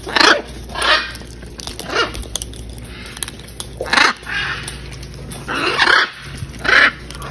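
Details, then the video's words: A large wild macaw flock at feeding time gives a series of loud, raucous squawks spaced about a second apart. Fainter grating calls from other birds fill the gaps. "100’s of Macaws feeding time"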